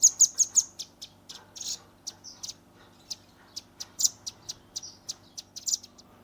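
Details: Juvenile velvet-fronted nuthatch, recorded on a Redmi 10 for tutoring songbirds: an opening burst of four quick piercing notes, followed by sparse high ticks and a few soft rasps in 'tembakan' style.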